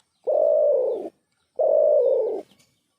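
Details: Unknown bird giving a pair of low, rough, droning notes, each close to a second long and evenly level, separated by half a second of silence, with little else audible.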